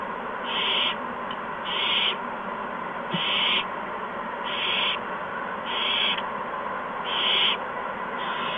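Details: Owls at a nest on the evening of March 13, 2015, as adults bring mice and a gopher to the owlets. Harsh hissing screeches about half a second long repeat roughly every second over a steady background hum.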